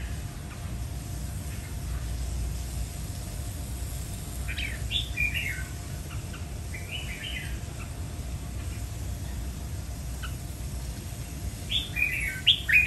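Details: Red-whiskered bulbul singing three short warbled phrases of quick rising and falling notes, spread across the recording, over a steady low background hum.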